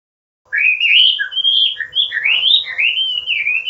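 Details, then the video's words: Chinese hwamei song used as a training recording for cage birds, meant to provoke rival birds: a run of loud, rich whistled phrases sliding up and down, flowing continuously with a faint steady hum beneath. "SUARA MASTERAN BURUNG HWAMEI ATAU WAMBI GACOR"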